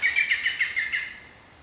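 Black Woodpecker giving a quick run of about seven bright, ringing notes, roughly seven per second, over one second before falling silent.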